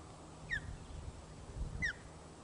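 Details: Osprey filmed by nest webcam at Loch of the Lowes on 1 June 2013, 13:26, as the chick gets its first feed: two clear, piercing, descending whistled notes about 1.3 seconds apart against a low background rumble.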